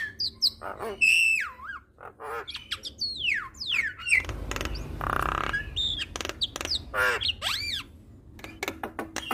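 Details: Javan myna (jalak kebo) song from a training recording intended to make other mynas sing: sliding whistles rising and falling, clicks, and a long harsh hissing squawk in the middle, with pauses between phrases.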